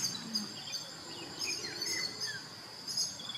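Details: Brahminy starling (Sturnia pagodarum) giving a few thin, sliding whistled notes, some falling and some rising, over a steady high insect drone.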